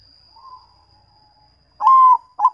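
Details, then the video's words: Local zebra dove, perkutut, one of several of its sounds: a faint low coo followed by a loud, level, hollow coo and a short final coo note, with a steady high whine running throughout. "MACAM - MACAM BUNYI PERKUTUT"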